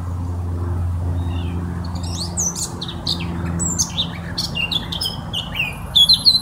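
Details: Eurasian blackcap singing: after a lone soft note, a fast run of varied warbled phrases, chattering and briefly whistled, that grows livelier and louder toward the end, over a steady low rumble.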